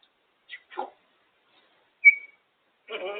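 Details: Female pet African grey parrot perched on her cage, making noises: two quick clicks, one sharp pure whistle, and a rough buzzy squawk at the end, with silence between.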